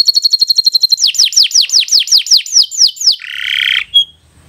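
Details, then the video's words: Canary song used to teach young birds: rapid repeated high notes, then a string of descending whistled sweeps about four per second, ending in a harsh buzzy burst. "Kicau Burung Kenari 101 II GACOR PANJANG Cocok untuk Masteran"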